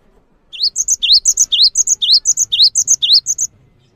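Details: Cinereous tit song. A rising slurred note leads into two high piping notes, and the phrase is repeated about seven times at an even pace. A faint low hum sits underneath.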